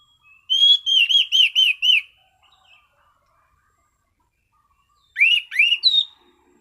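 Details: Calm, clear song of a caged orange-sided thrush: a series of six bright arched whistles repeated quickly, silence, then a shorter phrase of rising slurred whistles ending on a high note.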